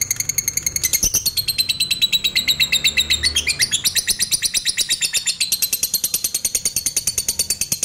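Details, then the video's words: Lovebird giving a long ngekek trill, used as a lure to stir other lovebirds into trilling and raise their arousal: a dense, high, rapidly pulsed chatter running unbroken for about eight seconds, shifting pitch midway, over a faint low hum. "LOVEBIRD NGETIK SAMBUNG NGEKEK PANJANG"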